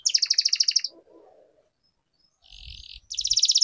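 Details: Canary singing for song training, a rolling "gacor" style, delivered as fast rhythmic trills of sharp high notes, about three per second, broken by a soft low warble and a quieter buzzy passage with faint low thumping before the trill resumes.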